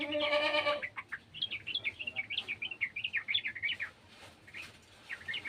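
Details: Sooty-headed bulbul from a garden, following an untrained bird's sounds: a loud bleating cry opens, then a long lively run of bouncing chirps, each note quick and clipped, fading to a few final notes.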